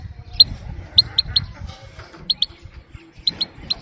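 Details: Female Himalayan goldfinch giving calm 'pit-pit' calls meant to stimulate males and train young birds: sharp, high clicking notes in quick pairs and triplets, separated by short pauses, over a low rumbling background hum.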